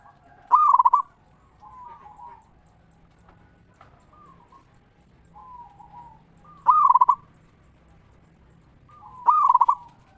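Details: Local zebra dove singing ngeristal, meant to stimulate other zebra doves to sing: three loud, stuttering cooing bursts spaced by soft, lower coos and brief quiet gaps.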